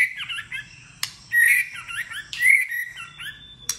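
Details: Competitive singing of a white-rumped shama with varied voices: quick clear whistles and warbled slurs, loud phrases at irregular intervals, interspersed with sharp click notes.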